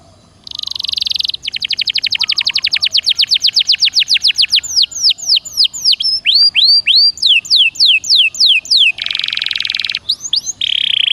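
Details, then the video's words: Canary song, 'gacor dor nembak' style, intended to get a caged canary singing again: a buzzy roll opens into a long rapid trill, followed by looping curved whistles and a final dense buzzy roll. "Suara Burung Kenari Gacor Dor Nembak Untuk Pancingan"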